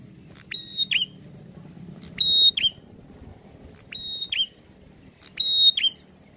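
A prinia repeats a sharp, high phrase about every one and a half seconds: a click, a flat ringing whistle, then a quick falling note. A faint low rumble sits underneath.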